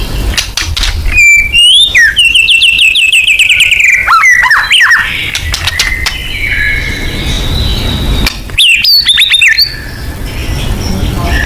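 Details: White-rumped shama singing full 'nembak' lure material: loud, clear whistled phrases that sweep and warble over several seconds, a quieter stretch, then a burst of rapid rising notes.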